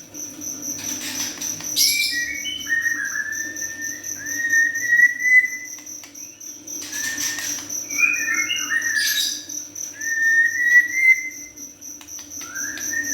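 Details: Young white-rumped shama singing in bursts of whistled, slurred phrases separated by pauses of a few seconds, with a constant high-pitched ringing drone and a faint low hum beneath.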